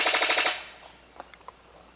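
A Brown Sicklebill gives a harsh, mechanical burst of about ten rapid pulses, like a short machine-gun rattle, followed by a few faint distant notes.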